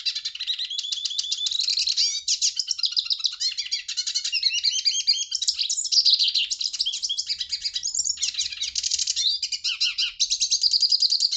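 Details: Hooded siskin delivering a long, unbroken, high twittering song: rapid chirps, buzzy trills and sweeping slurred whistles tumbling together at a fast pace, with little else heard.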